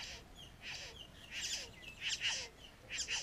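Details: Satin bowerbird at a bower on a rural property, where a male maintains the bower and courts, giving harsh, buzzy, hissing bursts about every half second, mixed with thin descending whistles.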